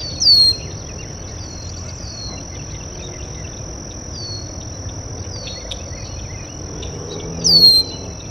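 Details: Red-winged Blackbird (Agelaius phoeniceus) at a local water basin gives two sharp, high whistles slurring downward, one at the start and one near the end, over a steady high insect drone.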